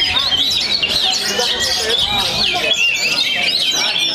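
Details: Oriental magpie-robin, young bird from Perbaungan after moulting, delivers quick high twittering phrases with upslurred whistles and short trills in close succession, soft speech audible behind.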